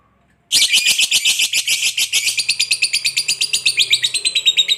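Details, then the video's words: Lovebird giving a long chattering ngekek song, used to provoke other lovebirds into singing; a dense run of rapid, high, harsh chirps repeated several times a second, starting abruptly and continuing steadily for over four seconds. "SUARA BURUNG LOVEBIRD NGEKEK PANJANG"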